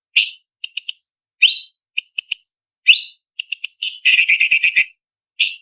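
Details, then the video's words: Cucak cungkok, the blue-winged leafbird, in a contest-training 'isian' song: a string of short high chirps, sharp upward-swept whistles and stuttered notes, closing with a dense scratchy rattle around four seconds and a final chip. "Masteran Cucak Cungkok Istimewa ~Isian Kasaran Pedas Variasi ~ Tembakan Masteran Burung Lomba"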